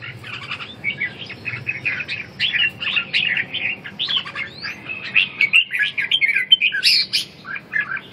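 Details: Ché-style competitive song of red-whiskered bulbuls, played to restore a bird's fire and vigour; continuous busy stream of chirpy, warbling notes with brief pauses and a louder, sharper flourish toward the end.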